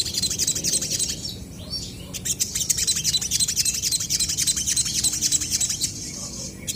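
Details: Crested jays calling back and forth in active song: dense, high, bright chirping and rapid ticking notes run almost without pause. Faint low hum lies underneath.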